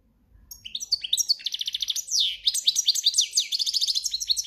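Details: Breeding-season European goldfinch delivering campero-style song, rapid varied twitters with buzzy trills and a drawn-out slurred note in the middle, continuous throughout.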